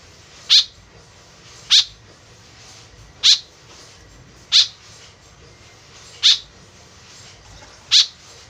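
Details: A white-breasted woodswallow calls eagerly, its voice serving as a lure; six short grating notes repeat at fairly even intervals of about one and a half seconds, with only soft hiss behind.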